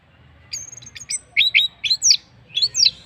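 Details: Orange-headed thrush used as a lure to make other birds join in singing: a series of sharp high whistled notes and quick down-slurred chirps in short bursts, with a faint low hum underneath.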